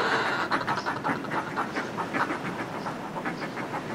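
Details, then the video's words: On cliff ledges, displaying groups of Northern fulmars give uneven, gruff pulsed cackles, softer and more broken up, over a constant roar of sea wash. "Northern Fulmar / Calls CU From Groups Displaying On Cliff Ledges"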